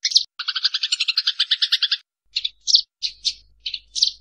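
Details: Eurasian tree sparrows in a fight: a dense burst of buzzy chirps lasting two seconds, followed by scattered single harsh chirps spaced irregularly, over faint low background rumble; offered as training material for songbirds.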